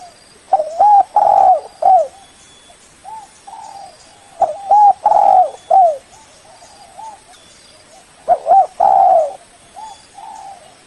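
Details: Spotted dove lure call meant to draw in a rival bird, made of three phrases of hooting coos. Quick paired notes lead into a fuller, purring coo, and softer trailing coos follow.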